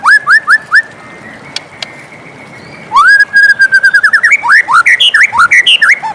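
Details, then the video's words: White-rumped shama singing in the morning: four quick rising whistles, a quiet gap with a couple of clicks, then a loud burst of rapid, varied looping whistles. "suara merdu murai batu di pagi hari"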